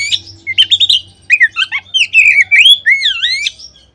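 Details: Oriental magpie-robin song played to coax other magpie-robins into singing: rapid chattering notes flowing into clear whistles that slide up and down. It closes with a long, swooping, rich note.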